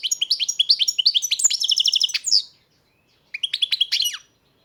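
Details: Caged European goldfinch from a breeder's stock delivering a rapid run of liquid, twittering notes climbing into trilled, tinkling series, a brief pause, then another quick jangling phrase ending in a downslurred note.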